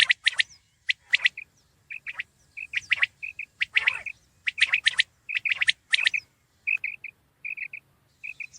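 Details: Common quail (batair) calling: groups of three short, clipped notes, repeated in quick runs, set among denser bursts of harsh, buzzy chattering from other birds.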